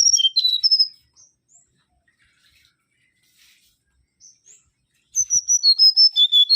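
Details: Mangrove whistler (Pachycephala grisola) in full song. The clip opens on the tail of one whistled phrase and has a few faint notes in a long quiet gap. A complete bright phrase of repeated clear whistles follows, stepping down the scale.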